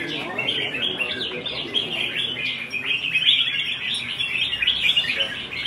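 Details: Red-whiskered bulbul in competition singing, pouring out dense, rapid chattering warbles and chirps over a low background hum.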